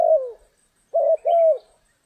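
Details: Spotted dove cooing on a rainy, stormy day of trapping: a falling coo, a pause, then a short note followed by a longer, slightly descending coo, all low and throaty.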